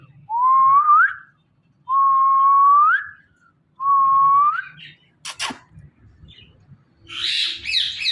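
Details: Hand-tame pet parrot, kept indoors and dancing, gives three loud whistled notes about a second apart, each rising then swooping upward at the end, followed by a clatter and a burst of raspy chatter.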